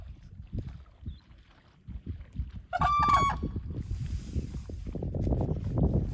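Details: One of a group of three endangered whooping cranes walking about, seen during redfish fly-fishing, giving one loud, brassy, trumpeting whoop of under a second, rich in overtones, over steady low wind rumble.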